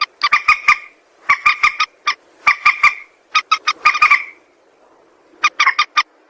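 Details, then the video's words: Harsh, rasping croaks from a white-breasted waterhen, a call used for luring birds into traps, come in clustered runs of four to six notes with short pauses, fading briefly before a final burst. "suara mandar sawah"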